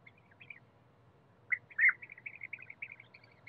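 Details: European bee-eater in forest: after a quiet start, one loud throaty trill breaks out, followed by a quick run of softer, liquid chirping notes, with a low hum underneath.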